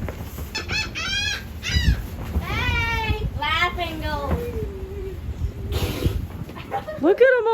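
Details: Laughing Gulls give nasal, laugh-like harmonic notes in quick falling runs near the water, one bird flying close, several calling over one another, with children's voices and outdoor noise beneath.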